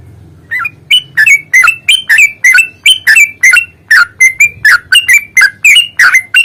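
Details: Yellow-vented bulbul singing an aggressive long-roll fighting song meant to spur other birds into song: rapid run of loud, slurred, bubbly chirps repeated roughly three times a second over faint low humming.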